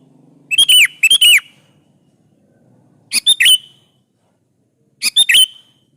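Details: Sooty-headed bulbul in lively song, used to lure other bulbuls into answering: three bursts of short bubbly notes, each ending in a bright falling whistled phrase, with a faint low hum between phrases.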